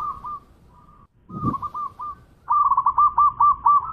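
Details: Champion local zebra dove singing: soft broken cooing phrases and a dull knock, then a loud rhythmic series of five or six rounded notes at steady mid pitch.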